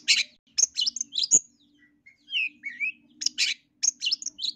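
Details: East Javan long-tailed shrike lure song meant to stir birds into emotional, aggressive singing: harsh raspy bursts and high chips alternate with short slurred whistles in an irregular, excited stream.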